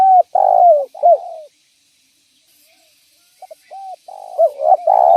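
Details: Spotted dove calling energetically, used as a lure to draw in other doves; low hollow coos in a stuttering phrase, a long rolling note with short arched hoots, a pause, then the phrase starting again.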